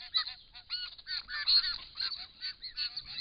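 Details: Wild Australian white-winged choughs at a pond, caught on camera trap while drinking and displaying with open mouths; dense overlapping harsh chatter and short arched nasal notes from a flock.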